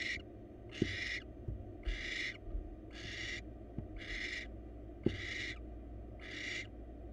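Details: Wild barn owl pair at a nest box, the male delivering a mouse to the female for dinner; long rasping hiss-screeches come roughly once per second above a constant low hum, with a few sharp clicks between them.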